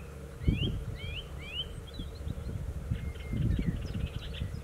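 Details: Song thrush delivers three similar twisting whistled phrases in a row, then fainter scattered notes, with loud low rumbling and thumping noise throughout.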